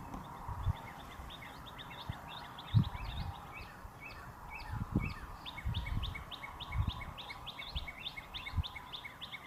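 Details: Cardinals, with a female calling in the trees for her mate and a red male on a wire, give a fast, steady string of short, sharp downslurred chirps, several each second, over low thumping and rumbling.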